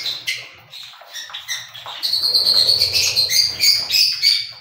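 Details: Cockatiel chirping in quick, fairly regular repeated notes, about three per second, building into a sustained run of bright, high whistled chirps during the second half.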